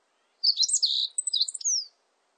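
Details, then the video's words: Meadow bunting song from a 2020 National Institute of Biological Resources recording: one bright phrase of about one and a half seconds, rapid high chirps and twittering notes, a short pause, then a stuttered series ending in a descending slurred whistle. "멧새, 여러번 듣기, 곤충소리, 새소리"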